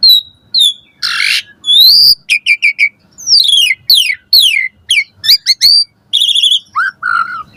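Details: Morning song of a caged Asian pied starling, played to train other birds: scattered whistles, a harsh burst, then a lively series of rapid descending and rising notes ending in a low buzzy phrase.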